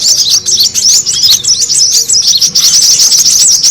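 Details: Brown-throated sunbird lure sound, noisy and meant to make birds gather: quick bursts of shrill, squeaky chirps tumbling over one another with tiny pauses between bursts.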